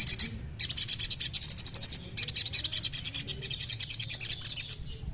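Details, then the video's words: Crimson sunbird (sogon) song used to get a captive bird singing: very high, rapid buzzy trills and chattering phrases, with brief pauses between bursts and a few sharp metallic notes. "SUARA YANG BIKIN SOGON GACOR"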